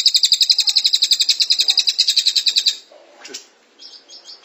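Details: A Cililin's dense 'tembakan rapat' trill of quick, high, evenly repeated notes runs for nearly three seconds, then gives way to scattered softer chirps and short calls, from a tutor recording for cage birds.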